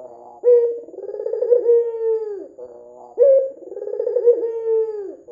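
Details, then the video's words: Red-eyed white dove cooing to lure other doves into calling. Two full phrases, each a sudden bright note followed by a long, wavering coo that drops away, separated by soft low murmurs. "PANCINGAN PUTER PUTIH MATA MERAH GACOR"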